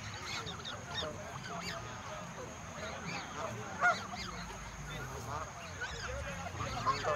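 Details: More than a hundred geese in the countryside being fed, calling together in dense, overlapping honks and chatter, with one louder call standing out near the fourth second.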